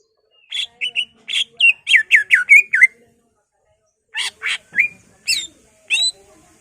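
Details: Lure song of a greater green leafbird, packed with copied phrases to excite other leafbirds: a rapid stuttering series of down-slurred whistles, a short silence, then scattered sharp chips and rising whistles.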